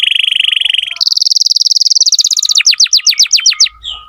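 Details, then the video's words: Tutoring song for young canaries from an actively singing canary: a low rapid pulsed roll, a higher faster roll, then a chain of crisp descending whistles repeated about four a second, ending with a soft thump. "Masteran kenari muda dengan pancingan kenari gacor"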